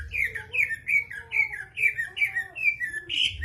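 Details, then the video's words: Greater green leafbird delivering jamtrok-style song: evenly paced, clear whistled notes, each sliding downward, repeated more than twice a second, ending on a higher, stronger whistle. "burung cucak ijo gacor jamtrok"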